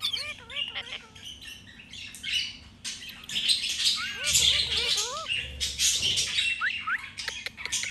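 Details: A pet Alexandrine parakeet (Psittacula eupatria) talks in short, wavering, voice-like phrases mixed with harsh raspy squawks and chatter at a quick, uneven pace.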